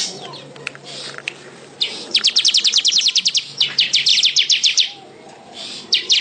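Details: Weaver singing two close runs of crisp, high, rapidly repeated ticking notes, separated by a brief pause, with isolated chirps at the start and end.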